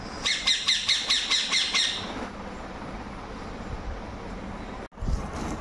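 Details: Indian ringneck parrot giving a quick series of about seven harsh, ringing squawks over two seconds, evenly spaced and bright, then falling silent. Low background hum and room noise remain, with a brief knock near the end.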